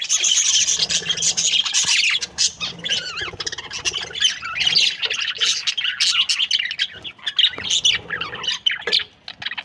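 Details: A group of happy budgerigars chatters nonstop, loud scratchy twitters and squeals at the start, then uneven bursts of warbling and sharp chirps with brief dips in between.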